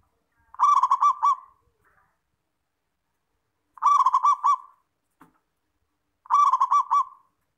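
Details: Local zebra dove tutor song used to coax other doves into regular singing. Three brief, rolling, staccato cooing phrases come about three seconds apart, each made of quick pulsed notes, with silence between.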